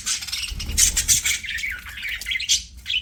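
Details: Budgerigars singing while playing; continuous rapid warbling chatter with sharp high squeaks and short whistled notes throughout.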